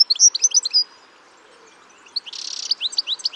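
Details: Lively European goldfinch calls from Spain: a quick burst of liquid, tinkling twitters, a short pause, then a harsh buzzy rasp followed by more rapid high chirps and trills.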